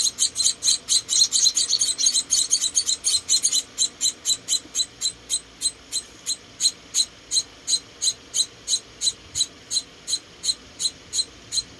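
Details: Tiny rescued Munia babies during feeding: busy overlapping high chirps for the first few seconds, then single thin chirps settling into an even, steady rhythm of about two a second.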